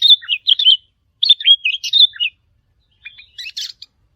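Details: Wild sooty-headed bulbul calls aimed at challenging resident birds. Two warbled phrases of bright, slurred notes are followed by a quieter, scratchy little group of chips after a pause.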